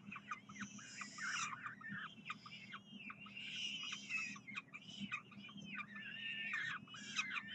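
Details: Peregrine falcons at the University of Calgary on a Saturday morning, 9 June 2012, calling for food: a busy mix of chattering, squealing and rasping notes from more than one bird, over a low hum.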